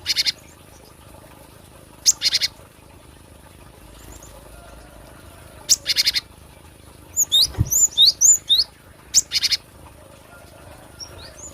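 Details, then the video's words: Cinereous tit, a recording for luring or song training. Short harsh buzzy bursts repeat every few seconds, and a rapid string of high, falling whistled notes comes near the end. "SUARA ASLI GLATIK BATU Buat pikat atau pemasteran"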